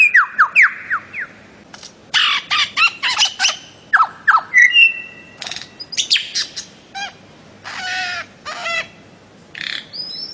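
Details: Bird-of-paradise singing a lively mix: falling whistled notes, clusters of dry clicks and chips, a bright whistle, and brief harsh bursts, delivered in quick irregular phrases.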